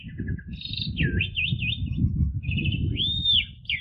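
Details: Asian pied starling singing in the energetic 'ngentrok' style, used as therapy song for training household magpie robins: bright whistled phrases with rising and falling wavy notes and a clear arched whistle, over a steady low rumbling background.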